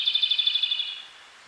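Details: Japanese robin singing from a song post at a small lake on the road to Lake Kussharo, Hokkaido, Japan. Only the tail of one phrase: a high, fast pulsing trill of about a second that trails away.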